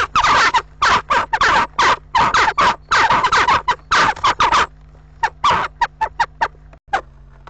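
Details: Western jackdaws battling at a nest box in April as a nesting pair fends off rivals; a long run of harsh, squawking chack notes, densely overlapping, then thinning to scattered single calls.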